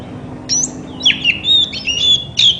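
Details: Short white-rumped shama phrase, used to provoke other shamas to sing: a high upswept note followed by a few sliding whistles.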